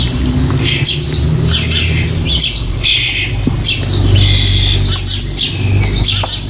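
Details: Nestling starlings close to leaving their nest box, 4 May 2014: rasping, noisy screeches come in quick overlapping bursts while a deep steady drone runs underneath.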